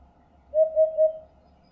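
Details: Eurasian hoopoe, a migratory bird of southern Europe also found in central and eastern Poland, giving a soft low hollow triple hoot, three evenly spaced notes in quick succession over quiet background.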